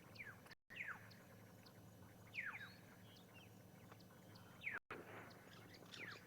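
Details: Starlings at Ngala Private Game Reserve, Sabi Sand, South Africa, on the morning of 29 April 2020, mob a young bull elephant that was apparently going at their nest. They give harsh, descending squawks about every two seconds, irregularly spaced, over a low rumble.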